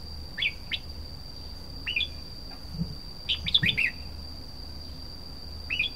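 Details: Red-whiskered bulbul giving short sweeping whistled phrases, a quick rush of several notes in the middle, separated by pauses, with a faint steady electronic whine throughout.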